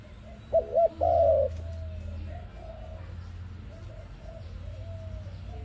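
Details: Dove call for use in trapping: one clear phrase of two short looping coos and a long trembling falling coo, then only faint distant coos over low humming noise.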